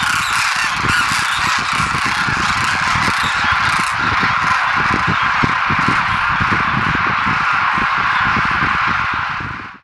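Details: Wintering wild Demoiselle cranes at the village bird-feeding site of Khichan, Jodhpur district, Rajasthan, India, where over 20,000 gather: a dense, continuous din of overlapping honking and trumpeting calls from a large flock, fading out at the end.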